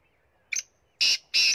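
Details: Black francolin (kala teetar) from Punjab: a short harsh note, then two loud, grating, rasping notes in quick succession, each about a fifth of a second, over a quiet background.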